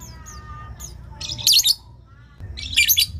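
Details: Lovebird calls used to prompt other lovebirds to answer: two loud bursts of harsh, high, rapid chattering squawks about a second apart, preceded by faint thin whistled notes over a low background hum.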